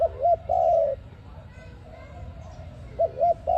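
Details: Dove calling, recorded for use as a trapping lure: a short hooked coo followed by a longer, level, slightly falling coo. The phrase comes at the start and repeats about three seconds later, with a low hum underneath.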